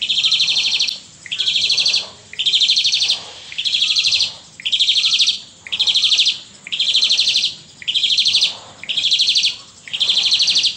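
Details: Asian pied starling in full 'gacor gaya memompa' pumping-style song, ten buzzy, rasping high bursts in steady succession, each near one second, separated by brief pauses, with faint low background hum.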